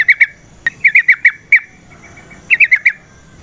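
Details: Sooty-headed bulbul song meant to coax other bulbuls into singing: short bursts of two to four liquid whistled notes separated by brief pauses.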